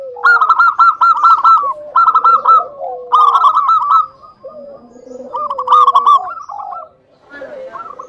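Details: Zebra dove of a local strain in full song, played to goad rival doves into calling back: four bright runs of fast, staccato cooing notes, each followed by lower, falling murmured coos, with a quieter ragged ending.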